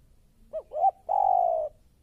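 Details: Newly caught, aggressive spotted dove (Spilopelia chinensis) used as a lure bird gives two short soft coos then a long, level, hollow coo, all low and mellow, in a quiet setting.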